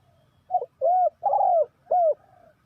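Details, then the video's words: Spotted dove used as a decoy to lure wild doves for trapping, giving a short low note, then longer arched coos, four mellow notes in under two seconds against a quiet background. "The Sound Of Spotted Dove is good"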